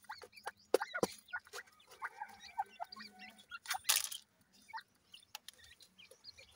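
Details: Chicks of the grey francolin, feeding, give scattered high thin peeps and short slurred notes against clicks, a low hum and brief noisy rustling.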